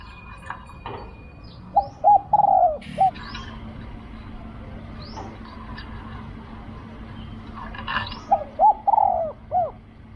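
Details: A spotted dove in Thailand, called in with a decoy, gives two rolling coo phrases of short notes and a drawn-out coo, among rumbling vehicle noise and scattered clicks.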